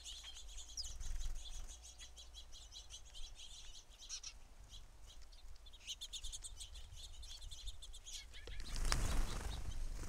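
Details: Many house sparrows at a feeder give soft, high chirps in loose bursts over a low background rumble, with a brief flurry of wingbeats near the end.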